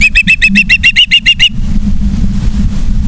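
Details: Osprey at a nest in Charlo, Montana, September 2023, evening: a brisk string of about ten sharp, high, whistled chirps over one and a half seconds, then low steady background rumble.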